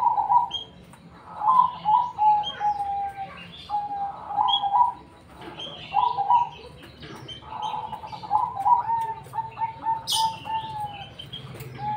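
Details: Zebra dove of the black cemani variety singing vigorously with a distinctive tone: mellow, low trilled coos in short phrases, each rolling then falling slightly, repeated with brief pauses; faint chirps from other birds above.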